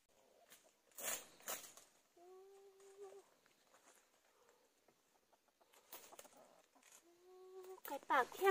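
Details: Red junglefowl decoy rooster crowing while used to lure wild junglefowl in the countryside: two drawn-out, harmonic crows a few seconds apart, with rustling and thumping before each and a loud rustle at the end.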